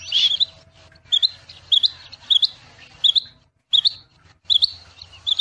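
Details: Rain quail song: sharp, high, doubled metallic notes repeated roughly every 0.7 seconds, with a brief pause midway and soft background twitter and sliding whistles from other birds.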